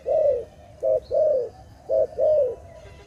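A dove gives low, soft coos in a short rhythmic phrase: a long hoo, a brief note, another long hoo, then a brief and long pair.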